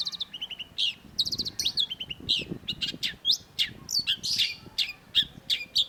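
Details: Long-tailed shrike in full, varied song meant to prompt silent cendet birds: fast rattling series, sharp chips and harsh buzzy phrases, delivered almost continuously over six seconds with a soft low rumble beneath.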